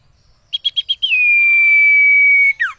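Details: Training recording of a common iora singing for cage birds: five rapid even short notes lead into a long flat, pure whistle lasting about one and a half seconds, ending in a quick downward slur.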